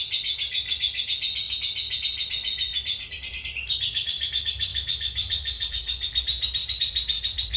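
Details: Cobalt mangsi lovebird in extended ngekek, a chatter used as a master for other birds: rapid rattling high trill holding steady, with a brief jump higher near the middle before settling back, low hum underneath.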